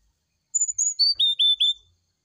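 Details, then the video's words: Morning song of a brown-chested jungle flycatcher, fluting and used to prompt a reply. A high whistled phrase drops in steps through several notes, ending with three repeated lower whistles. "TERAPI SRDC DI PAGI HARI ,PANCINGAB SRDC NYULING DI PAGI HARI"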